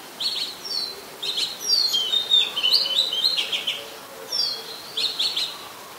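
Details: Oriental magpie-robin, very common resident, Ubon Ratchathani, Thailand, 24 December 2020; rich loud song of clustered whistles and rapid warbled notes, busiest in the middle, then paired phrases after short gaps.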